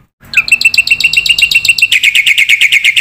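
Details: Caged black-winged myna giving a full, lively masteran training song meant to prompt young mynas to sing; a rapid chattering series of clear repeated notes, growing louder and slightly lower partway through, in a quiet room.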